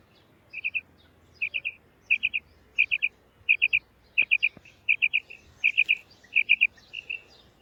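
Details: Calling female quail: crisp high notes delivered in tight pairs or triplets, repeated at a fairly even pace about every 0.7 seconds, with a quiet background and a few faint clicks.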